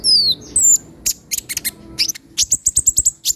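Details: Kolibri ninja sunbird song: long thin descending whistles, then sharp high chips and a quick run of bright, evenly spaced ticks near the end, over a faint low hum.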